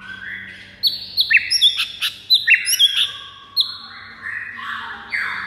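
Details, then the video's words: Fighting song of a white-rumped shama, meant to rouse other birds to rage. Loud, clear, slurred whistles come in quick clusters, some swooping downward. Sharp clicks sit between them, and the phrase ends in softer, lower trailing notes. "MURAI FIGHTER PENDONGKRAK EMOSI DIJAMIN NGAMUK DALAM HITUNGAN DETIK"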